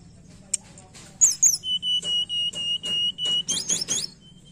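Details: Lure recording of tledekan song for a lazy singer: a high chirp, then a series of about eight steady, evenly spaced whistled notes ending in quick sharp twitters, over a low hum.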